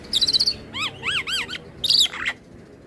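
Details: Jalak putih singing to provoke other starlings: a high rapid trill, three arching nasal notes, then another trill and a harsh burst.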